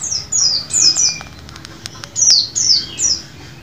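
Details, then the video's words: Caged-bird lure of white-eye song: bright, very high chirps that drop quickly in pitch, given in short clusters with brief gaps, plus a few faint clicks between them. "VOLUME TEMBUS untuk masteran maupun pancingan pleci macet bunyi"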